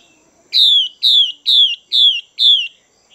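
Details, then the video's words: A female Chinese hwamei, a caged bird used to stimulate males, gives five loud descending whistled notes about half a second apart, each sliding down from high to lower pitch, in a quiet setting. "Chim Hoạ Mi Mái VIP Chùi Kích Bổi Căng Lửa Mái Gột Chiến"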